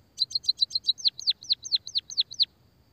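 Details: Munias (pipit, emprit, peking, bondol, kaji), a recording used to lure birds and spur silent ones to sing; about fifteen rapid high chirps in just over two seconds, first short clipped notes, then longer downslurred ones.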